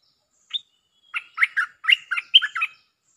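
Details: Stripe-throated bulbul lure song: a single rising note, a short pause, then a fast, chattering string of about eight gurgling notes, clear against a silent background.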